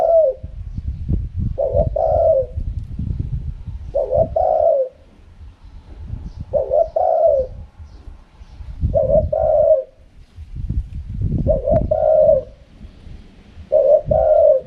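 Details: Seven two-part coos from a spotted dove in the wild 'karam pa' song style, each a short note and a longer rolling coo, spaced about two seconds apart over low rumbling noise.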